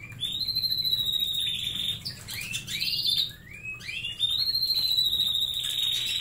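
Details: Caged canaries enjoying treats from a snack center: loud continuous song of long sweeping whistled trills, rising and falling arcs blending into sustained rolling notes, with a steady low indoor hum.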